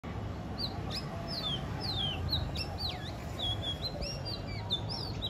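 Magpie chirping: a busy stream of short, clear whistled notes, some sliding down, some rising, overlapping quickly over a steady low rumble.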